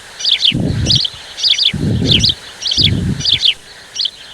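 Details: Common starlings from a flock of millions arriving at Chakwal, Pakistan, in woodland. High chirping notes come in quick clusters about every half second, over low rumbling thumps from wind or handling noise.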